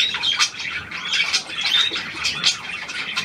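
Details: Several budgerigars chatter near a newly acquired hand-tame pied one, February 2023; quick high squeaky twitters and chirps overlap in a steady stream.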